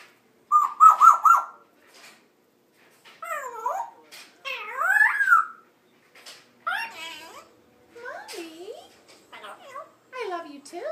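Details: Female African grey parrot, 13 months old, kept as a pet indoors, talking on the first day she began saying her own name; clear parrot-voiced phrases with rising and falling syllables, in bursts separated by short pauses.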